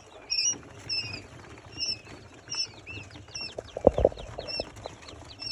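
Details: Little bustard chicks giving thin, high peeps that slide downward, repeated about every half second, with a brief lower knocking sound near the middle.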